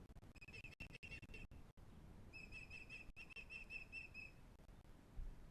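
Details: Breeding ospreys at the Pont Croesor nest beside the Afon Glaslyn, North Wales: two runs of rapid, evenly spaced whistled chirps, each about a second or two long, against a constant low hum with sharp clicks.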